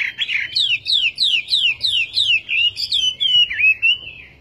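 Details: Chinese hwamei song as a fast rattle of about ten downslurred whistled notes, several each second. It ends in a wavering, gliding whistle, clean above a faint low background.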